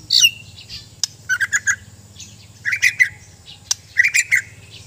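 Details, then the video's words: Sabah white-rumped shama from Borneo during mental training: short bursts of harsh, buzzy notes in clusters of three or four, separated by pauses, with a steady low pulsing hum behind. "Indahnya suara dan gaya burung murai batu"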